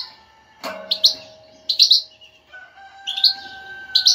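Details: Exciting batbata for a goldfinch that is not singing: a loud clatter, then sparse bright twittering notes and chirp pairs, with clear steady humming tones beneath the second half.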